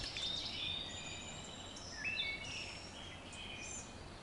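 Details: Wood Thrush song played a second time, with other birds in the background: clear fluted whistles, a sliding note and high tinkling trill phrases, over a steady hiss of ambient noise.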